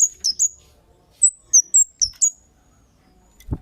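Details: Lure sound of a lively Kemade: loud, high, whistled chirps that start with a quick pair, then come singly and in short clusters, ending in a soft thud.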